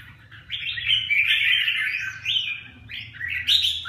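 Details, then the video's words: Chào mào, the red-whiskered bulbul, Huế 'lân cánh bướm' bird, sings a continuous liquid warble sliding between notes, ending in a sharper upward flourish. "Huế lân cánh bướm 1"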